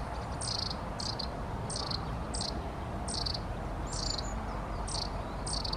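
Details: Long-tailed tit calling steadily with repeated short, harsh buzzy bursts roughly every half to one second and one high thin trill, over a steady low background hum.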